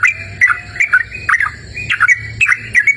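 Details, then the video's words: Lively outdoor song of a yellow-vented bulbul: quick clusters of liquid, slurred whistles, a burst every half second or so, with a faint low hum underneath. "Suara Merdu Burung Trucukan Gacor!"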